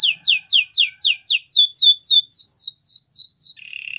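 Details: Canary song for training canaries: a regular roll of loud, downward-sliding whistled syllables, roughly four each second, ending in a thin buzzy trill.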